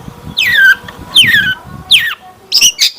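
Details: Long-tailed shrike song played as a lure to make other shrikes answer and sing: three harsh, sharply falling squawked notes spaced under a second apart, then two short high scratchy bursts.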